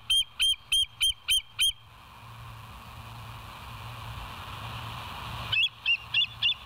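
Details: Bald eagle recorded by a live nature cam at West End on 07/09/2023, 06:24: a string of six evenly spaced, high piping notes, a pause with steady background hum, then four more quick notes.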